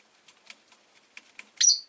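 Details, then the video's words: Rosy-faced lovebirds, five in a cage by a window in the afternoon, make soft clicks and rustles before one loud, harsh, high chirp at the end. "Lovebird Chirping Sounds"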